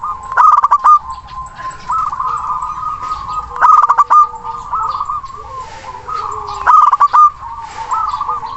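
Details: Local zebra dove, a strongly singing bird with a big voice and long breath, calling a rival: bursts of rapid rolling coos repeated about every three seconds, followed by sustained even cooing between bursts.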